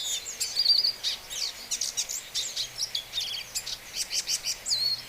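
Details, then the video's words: Hooded siskin singing a fast, high, twittering song of chirps, trills and thin whistled notes, delivered in quick bursts without pause, with a faint low hum behind. "Pintassilgo de capa preta #cantando"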